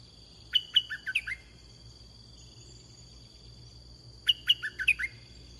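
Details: Red-whiskered bulbul, recorded during bird luring with a caged decoy, repeats the same short whistled phrase twice about four seconds apart, each a quick tumble of sharp and lower notes, over a continuous high tone.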